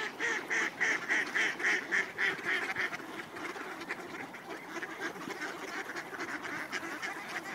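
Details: Ducks being fed at Cuerden Valley Park on a snowy day: a rapid, regular run of nasal quacks, about three or four per second, then fades into a blur of softer calls and rustling.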